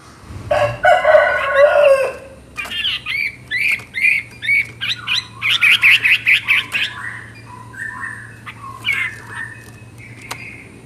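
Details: Chinese hwamei singing actively: a harsh, broadband rasping burst opens, then a fast run of varied short whistled and chattering notes, about two per second, fading into scattered softer phrases with a faint low hum behind.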